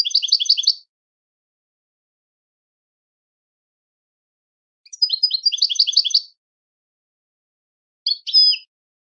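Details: European goldfinch singing: bursts of rapid tinkling, twittering notes high in pitch, a short phrase at the start, a longer trilling run mid-clip and a brief chirp near the end, separated by silence.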